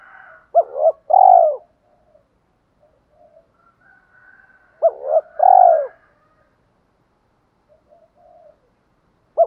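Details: Decoy spotted doves, male and female, cooing to provoke wild doves into cooing back and fighting: two deep, mellow phrases about four seconds apart, each two short clipped notes then a long, loud, falling coo, with faint soft notes between.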